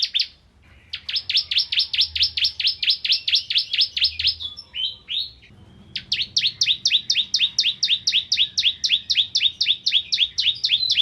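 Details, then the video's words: Bar-winged prinia song used as a tutor recording for magpie-robins: two long runs of sharp, high, down-slurred chirps, about four per second, split by a short pause and a few softer slurred notes. "Burung Ciblek Kristal Gacor Untuk Masteran Murai Batu"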